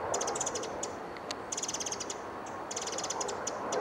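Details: Pacific Wren on Iona Island, Vancouver, BC gives high, sharp notes in quick rattling bursts, three runs within a few seconds, over a steady rushing background like flowing water.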